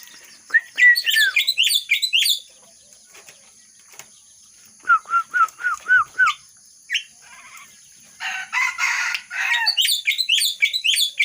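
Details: Myna copying the red-whiskered bulbul's song: a bright cluster of chirps, a quiet gap, a row of five short falling whistles, then a harsh rasping burst followed by quick high chirps.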